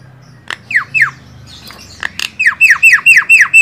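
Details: Javan myna (jalak kebo) singing as a master recording for songbird training: scattered clicks, then a steady series of about eight downward-sweeping squawky whistles delivered quickly and evenly.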